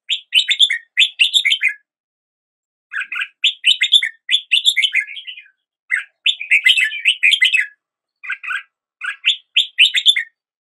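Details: Red-whiskered bulbul greeting a new day with song: repeated clusters of lively, bubbling chirps and warbles, delivered in one- to two-second phrases with short gaps.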